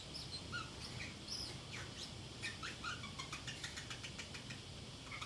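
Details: Pacific parrotlet kept as a house pet, talking to itself while home alone: brief high chirps and squeaks at irregular intervals, with rapid clicking taps late on and a faint background hum.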